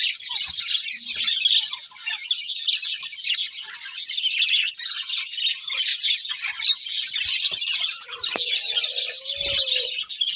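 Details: Breeding pair of budgerigars keeping up continuous high, buzzy warbling and chirping, with a brief lower sliding whistle late on.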